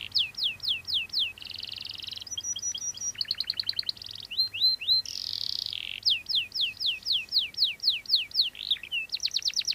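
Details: Caged canary singing a varied 3-in-1 style song used to train other birds: fast repeated descending whistled notes, buzzy trills and rattling rolls, high-pitched, changing phrase every second or so, with faint low hum beneath.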